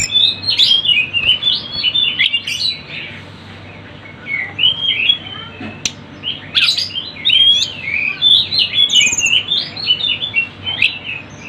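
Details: High twittering song of the Sunda bush warbler, recorded for luring birds. Rapid chirps and warbles come in dense bursts, with a quieter pause midway before the chatter resumes.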